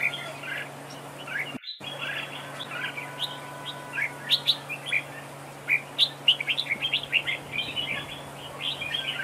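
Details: Red-whiskered bulbul singing in a trap duel as a decoy bird, bright chirping phrases in quick succession, a brief dropout near the start, constant low hum behind.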